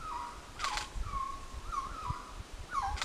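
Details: Resplendent quetzal (Pharomachrus mocinno) in the Altos de Chiapas giving mellow, low whistled notes that waver and slur downward, several in three seconds, with sharp clicks and a low rumble behind.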